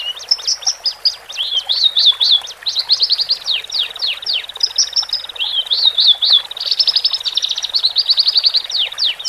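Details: Horsfield's bush larks, male and female, singing to calm a bird newly separated into a cage: a varied stream of quick slurred whistles, swooping notes and short high trills, almost without pause.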